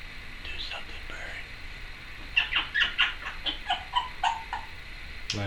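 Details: Pet female Timneh African grey parrot chattering indoors, a run of short clicks, squeaks and warbled notes in quick succession, rising and falling in pitch.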